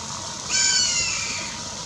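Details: At a lodge in São José do Rio Claro, Mato Grosso, Brazil, in May 2021, a Black caracara gives one loud, grating scream, steady and then fading after about a second, against soft natural background noise.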